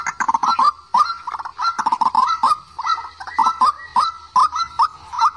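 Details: A white-breasted waterhen call used to lure birds into traps. Short, nasal honking notes rise sharply and repeat roughly twice a second, broken by brief clattering clicks.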